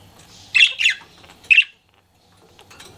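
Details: Flirting pet budgie utters three loud, harsh chirps in quick succession, two close together and one a half second later, then quiet.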